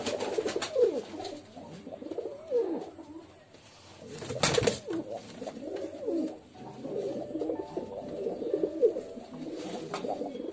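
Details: Overlapping low pigeon coos murmur on and off. A sharp rustling noise lands near the middle, and softer coos continue under steady background hiss.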